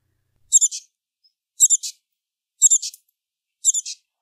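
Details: Female black-capped chickadee giving the broken dee call, a breeding-season courtship call used after nest cavity completion into early incubation that often elicits male feeding: four short, high, buzzy stuttered bursts, about one per second.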